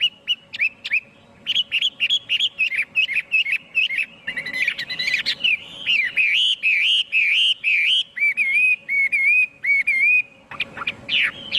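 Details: Chinese hwamei singing a loud, varied run of clear whistled phrases, many repeated several times in quick succession, with a few sharp upward-slurred notes and short rapid chirps.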